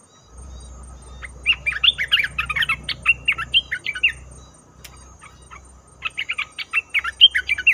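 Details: Red-whiskered bulbul lure recording for trapping: two runs of fast, scratchy chirps and warbles, with a low background rumble under the first run and a sharp click between the runs.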